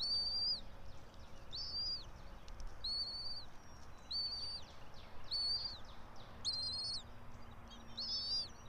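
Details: Morning chatter at 06:28 on 04.03.2024 from a bald eagle of the pair nesting high in a pine in Johnson City, Tennessee: a run of about eight short, high, slurred whistles, roughly one per second, with low rumble underneath.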